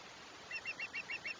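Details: Osprey at a nest on the Chesapeake, recorded 21 July 2021: after a short quiet spell, a rapid series of about seven sharp, whistled chirps, evenly spaced and slightly rising, with faint background hiss.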